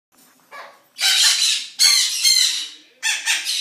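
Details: Birds at a zoo in the morning, described as noisy: harsh, broad raspy squawks, a short one followed by three long grating bursts separated by brief pauses.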